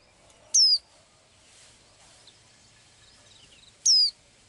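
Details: Two crisp, high whistles from a small blue-eyed bird that sings every day, each dropping quickly in pitch, about three seconds apart, with faint twittering between.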